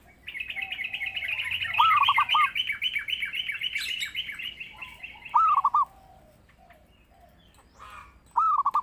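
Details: Zebra dove (perkutut) singing, used as a lure and training master; three short phrases of rapid looping coos, partly overlapped early on by a long, fast, buzzy trill from another bird.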